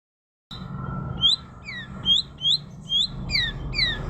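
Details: Murai (magpie-robin) singing: short clear whistled notes, some rising and some falling, repeated in a loose phrase over steady low hum.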